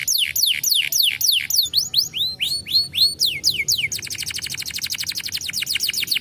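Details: Canary song played to stimulate other canaries to sing: loud, rapid series of descending whistled sweeps, then slower rising slurred notes, ending in a fast, even rolling trill; clean background.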